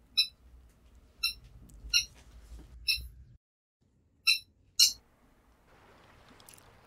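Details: Eurasian coot on water in winter in Korea giving short, sharp, high-pitched notes, six spaced about a second apart, with a faint low background hum.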